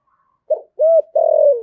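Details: Spotted dove used as a decoy, 'giọng thổ' voice style, giving one low cooing phrase: a short soft note, a rounded coo, then a long sustained coo that falls at the end.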